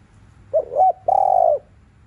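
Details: A spotted dove coos in the afternoon, meant to stimulate rival doves: quick rising double note, short pause, then a long even coo with a faint pulsing texture.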